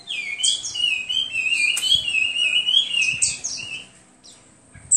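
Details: Melodious warbling from a Hwamei: a sustained, wavering whistled phrase with bright high accents, fading to quiet near the end.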